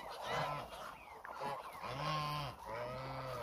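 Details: Roughly a thousand hungry Muscovy ducks roaming together; long drawn-out nasal honks, each lasting about half a second, rise out of a steady background of flock chatter.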